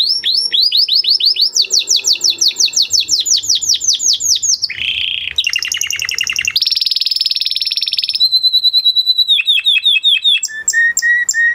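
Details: Excited male canary performing a long varied song of many tours: rapid sweeping notes, dense buzzy rolls, a low nasal passage, sustained high trills and clear repeated whistles, each tour switching abruptly to the next.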